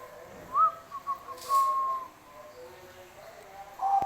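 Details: Bangkok-type zebra dove singing vigorously: a short rising whistled note, two brief notes, then a long steady cooing tone, and another held whistled note at the end, with a faint voice and a sharp click.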